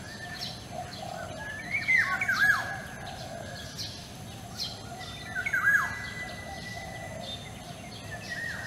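A white-rumped shama gives two rich, whistled phrases about three seconds apart, with sweeping notes and quick flourishes over a steady hiss of background noise.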